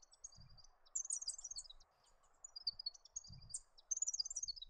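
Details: Yellow-rumped thornbill in Australia, a ground-foraging bird of small flocks; bright high twittering phrases in bursts, over a steady mid-pitched background hiss and occasional low thumps.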